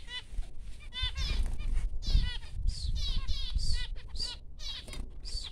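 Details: Baby finches just hatched, calling with repeated squeaky upswept peeps, about two or three per second, against a low continuous rumble.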